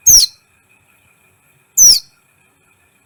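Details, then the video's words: Brown-throated sunbird calling for bird training, to make other birds excited: two sharp high downslurred notes, each very brief, about two seconds apart. "Masteran KOLIBRI ninja gacor , agar CEPAT EMOSI"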